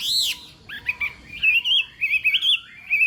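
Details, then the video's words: Chinese hwamei singing in the morning to train its voice for a contest: an opening high arched whistle, then softer chirps and a wavering, warbled whistled trill. "Hoạ Mi Hót Đấu /hoạ mi hót sáng luyện giọng kich bổi sổ giọng chim hót hay mỗi ngày/"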